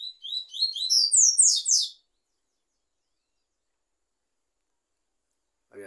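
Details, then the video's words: Double-collared seedeater singing in the tui-tui song style: a two-second burst of high, rapid, clear whistled notes that slur downward and repeat quickly. Silence follows, with faint sound at the very end. "coleiro Tui tui"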